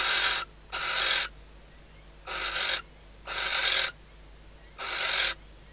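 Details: In a nest box interior in Spain's Ebro Delta, the female barn owl answers the male's arrival at the outside perch at night, shortly before the first chick hatches. Five coarse hissing bursts, two close together, then spaced more widely.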